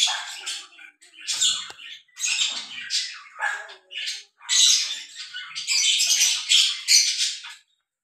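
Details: Harsh, high twittering squawks from a breeding pair of lovebirds in the act of mating arrive in clipped bursts that grow denser toward the end.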